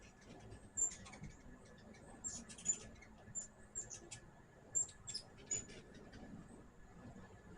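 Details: Sharp, very high squeaks and brief twitters from hummingbirds at a sugar-water feeder, coming in separate bursts roughly every second or so, with a quiet low hum beneath.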